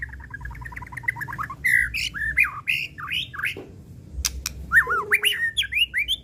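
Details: White-rumped shama (murai batu, murai pastol) song, an original unrepeated recording used as a lure to provoke other shamas: a fast train of short pulsed notes, then varied loud whistled, warbled and looping phrases with sharp clicks.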